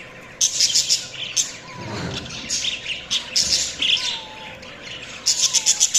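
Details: Budgerigars give rapid runs of sharp, ticking chirps, then scratchy warbled chatter with several thin, descending whistles. A low muffled thump near two seconds is followed by another quick chirp run at the end.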